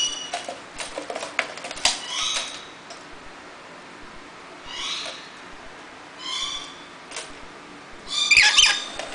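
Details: Rainbow lorikeet taking a bath: harsh, raspy screeching bursts come in irregular clusters, with quieter gaps between them. Sharp clicks and splashy ticks run through the first few seconds, and there is a loud, dense screech near the end.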